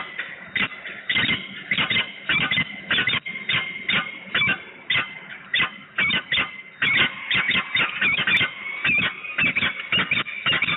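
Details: Peregrine falcons at Włocławek, Poland, on 9 August 2020, a pair calling in duet: rapid harsh repeated notes, nearly two per second, irregular bursts with a steady tonal line running beneath throughout.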